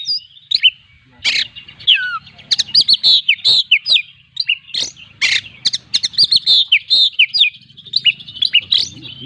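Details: Kept Oriental magpie-robin singing nonstop in full, varied style packed with imitations: rapid whistled notes and slurs around high pitch, broken by harsh broadband rasps, phrases tumbling one after another with short pauses.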